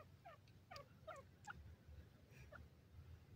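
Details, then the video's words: Grey francolin, known locally as teetar, calling: a quiet, quick series of short downward-sliding notes, closely bunched early and then more spaced out, over a steady low background rumble. "grey francolin voice, teetar bird awaaz"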